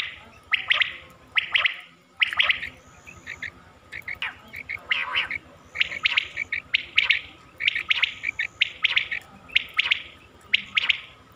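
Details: Quail calls from a Mianwali, Pakistan hunting lure recording: crisp, high triple notes and short buzzy phrases come roughly once a second, with a brief gap near the start.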